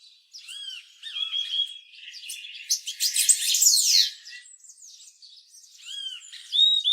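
Purple-throated euphonia giving high, clear arched notes, some rising and falling, mixed with a burst of busier chattering in the middle.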